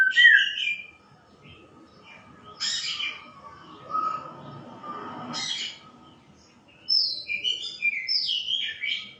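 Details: White-rumped shama giving a loud opening phrase, harsh raspy bursts with pauses, then a run of whistled descending notes.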